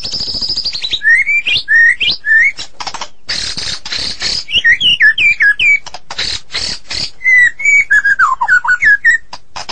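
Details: White-rumped shama from Medan singing a long, loud, varied song: clear whistled slurs rising and falling, mixed with harsh buzzy bursts and rapid chattering notes, phrases packed tightly with brief pauses.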